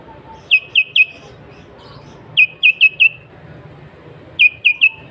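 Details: Sooty-headed bulbul chattering, original recording for luring rival and wild bulbuls: clipped whistled notes delivered in groups of three or four, each note dropping slightly, with gaps of about a second and a half between groups.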